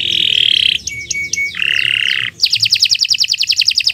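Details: Canary in long continuous song, recorded as a tutor for other birds: harsh buzzy rolls alternate with thin high notes, then a bright, rapid high trill repeated evenly.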